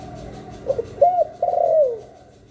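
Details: Spotted dove cooing in the 'hạp bổi' voice, recorded without background noise to stimulate newly kept doves. Two quick soft notes lead into an arched coo, then a sustained vibrating note that falls away.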